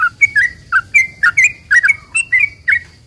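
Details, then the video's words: Sooty-headed bulbul in lively song used as a lure to make other bulbuls reply: quick run of rich, liquid whistled notes, several falling or rolling, about three per second, over a faint continuous high hum. "trucukan gacor ROPEL PANJANG ini buat pancingan trucukan agar bunyi"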